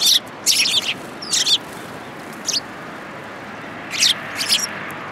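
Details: Eurasian tree sparrows coming to be fed at a Tenmangu shrine, 19 January 2022: loud, bright chirps in small bunches of two or three, with pauses between them.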